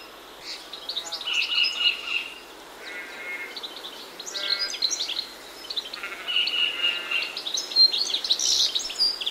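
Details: Goldfinches singing prominently from a hedgerow on a morning, alongside silvereyes and grey warblers; liquid twittering runs mixed with harsh buzzy trills, in several bursts separated by brief quieter gaps.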